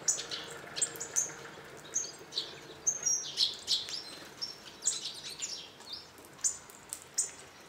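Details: A flock of hawfinches at a garden bird feeder in northern Hungary, with a walnut tree nearby. Dense, irregular series of high, thin ticks and short sharp notes from several birds.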